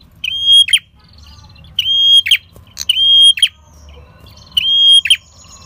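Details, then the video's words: Lure recording of a red-headed prinia singing energetically: sustained high whistles, each ended by a harsh buzzy flourish, come in quick pairs and singles, with faint chatter in the gaps. "Pancingan PRENJAK KEPALA MERAH Gacor Ngalun"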